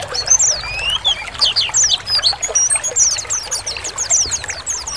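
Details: Several caged Oriental white-eyes (Zosterops palpebrosus) sing together, a dense, rapid, overlapping chatter of thin, high twittering notes and quick slurred whistles, played to stimulate caged birds to open up and sing.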